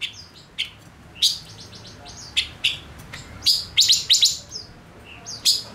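A male silver-eared mesia gives sharp, high chirps and short twittering bursts, several notes every second, over a faint background hiss.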